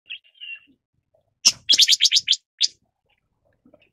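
Red-billed leiothrix giving a quick run of about eight harsh, buzzy chattering notes, set among a few thin whistled notes and soft clicks.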